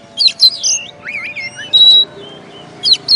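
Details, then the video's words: Oriental magpie-robin, champion of a songbird contest, singing a clear sequence: sharp high chips, a wavering whistled slur, then a long flat pure whistle, ending with two quick high notes; faint low hum behind. "Video Kacer Juara 1"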